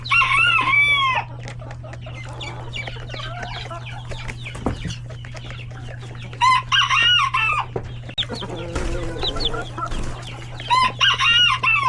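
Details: Coop of chickens, roosters and many chicks at hectic lunchtime; loud harmonic squawking bursts at start, middle and end, between steady clucking and chick peeping, with a low continuous hum.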